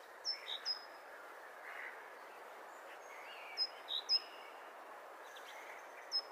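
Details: Great tit recorded at the start of spring, its voice said to herald spring: sparse, very high, thin notes sliding sharply downward, given singly or in quick pairs at irregular intervals, with faint background hiss.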